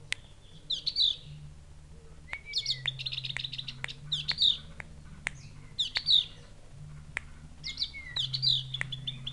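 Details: Tamed Javan grey-throated white-eye from Mount Wilis, Java, with a call likened to a chick seeking its mother. High chirp clusters repeat about every two seconds, some with a rising whistled slur, among loud clicks and a low hum.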